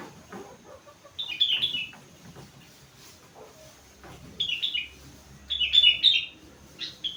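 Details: Young sooty-headed bulbul aged four months, singing a song filled with rengganis imitation: clear whistled phrases of slurred, downward notes, delivered in three bursts with quiet gaps.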